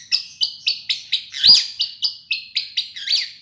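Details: White-rumped shama, a bird that had stopped singing, answering a lure recording: a rapid series of bright, sharp chirps about four per second, one louder, broader burst in the middle.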